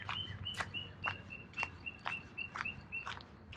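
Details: A titmouse gives short, clear whistled notes on a steady pitch, about twice a second, over sharp crunching footsteps, in a small wooded creek ravine at Saxon Park, Norman, Oklahoma, on a mid-July morning, with highway noise nearby.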